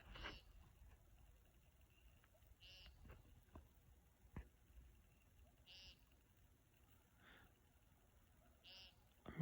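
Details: An American Woodcock gives short, buzzy, nasal peent notes about every three seconds over low traffic rumble, before dawn on 25 May 2020 on Mount Desert Island, Acadia National Park, Maine.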